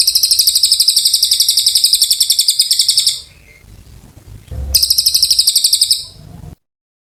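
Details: Cililin, the Oriental white-eye, singing long and vigorously: a quick run of sharp, high repeated notes for three seconds, a pause with low noise, then another burst.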